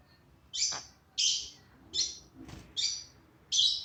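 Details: Pet bird making funny sounds that amuse its owner: six short, bright, buzzy chirps spaced about half a second to a second apart, with a faint low thump midway.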